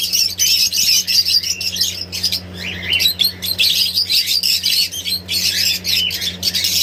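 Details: Young parrots on an Indian parrot farm chattering in dense, overlapping scratchy squawks and chirps that rise and fall continuously, with a constant low hum in the background.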